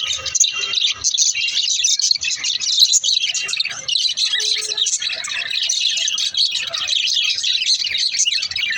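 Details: Lovebirds singing: a dense, continuous chatter of high, sharp chirps and twitters from several birds at once, overlapping without pause throughout.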